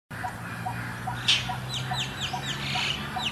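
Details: Indochinese roller in Suan Rot Fai park, Bangkok, Thailand, noisy and flying between prominent perches, giving a harsh scolding call: a rasping burst, then a string of quick downslurred chirps, over a low hum and soft regular pips.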